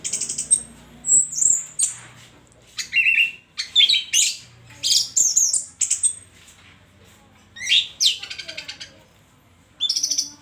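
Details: Orange-headed thrush in full, varied song: bursts of high whistles, buzzy scratchy phrases and quick chirps, separated by short pauses.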